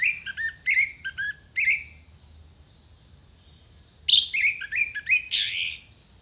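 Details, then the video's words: Orange-headed thrush song meant as sharp filler phrases for contest birds: rapid clusters of clear whistled notes jumping between high and lower pitches, a quiet gap of about two seconds, then a louder run of varied warbles. "MASTERAN ANIS MERAH GACOR FULL ISIAN TEMBAKAN TAJAM VOKAL JERNIH DURASI PANJANG ISIAN BURUNG LOMBA"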